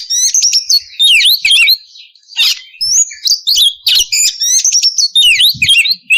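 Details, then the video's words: Loud, continuous oriental magpie-robin song from a female in breeding condition calling the male, with rapid down-slurred whistles, sharp chips and trills in a lively, tumbling stream with few pauses. "PANCINGAN KACER BAHAN AGAR CEPAT BUNYI NGEPLONG DAN GACOR"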